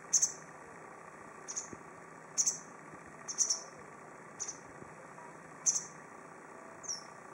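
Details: White wagtail, subspecies lugens, perched in a tree at Goryokaku Park, giving thin, piercing chirps, often paired, repeated irregularly every one to two seconds against a constant low background hum.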